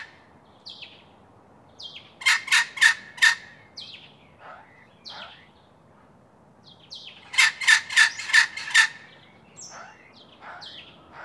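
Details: Red wattlebirds, an adult feeding a juvenile about 5 metres away, give two bursts of four harsh, raspy notes about five seconds apart, with scattered short squeaky chirps between them; audio partly from a sound archive.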